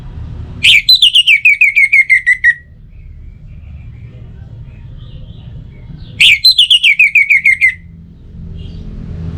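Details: Orange-headed thrush singing, used to get other birds singing morning and evening: two matching phrases about five seconds apart, each a sharp upswept note followed by roughly ten quick whistled notes stepping gently downward.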